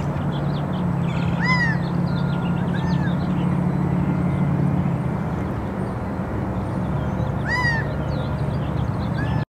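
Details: Gambel's quail (Callipepla gambelii) in a paloverde tree in Tucson, Arizona, in March, calls four times with nasal, arched notes rising then falling, in two pairs several seconds apart, over a constant low rumble like distant traffic.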